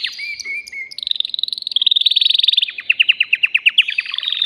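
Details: Excited male canary in a cage, singing to prepare a female for mating. Gliding whistles lead into a rapid buzzy trill, followed by distinct repeated downward-sweeping notes about six per second.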